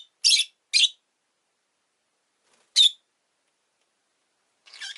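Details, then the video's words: Captive rosy-faced lovebird gives two harsh, shrill chirps close together, a lone sharp chirp after a long gap, then a softer scratchy note at the end. "Lovebird Chirping Sounds"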